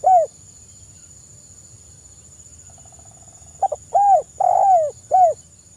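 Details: Soft spotted dove call, recorded as a lure: one rounded coo, a long silence, then a stuttered double note, a hooded coo, a longer drawn-out falling coo and a final short coo, with a thin constant electronic whine behind.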